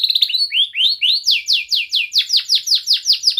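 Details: Rhythmic song from a young canary in the tight-roll style, played to young canaries as a singing lesson: rising whistled slurs give way to loud falling sweeps repeated about five per second.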